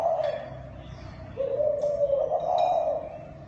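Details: Thai dove kích bổi coo: low, slightly wavering hooting note held for about two seconds after a softer opening, with faint scattered chirps of other birds above.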